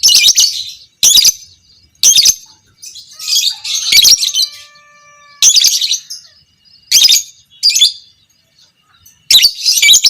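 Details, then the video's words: Fighter lovebird of the violet Pb creamino variety in long chattering song, a master recording for training other lovebirds: repeated dense bursts of shrill, scratchy chatter about every second, some longer, with short gaps between. "Masteran Burung Lovebird Fighter Ngekek panjang - Suara Burung lovebird biola pb creamino"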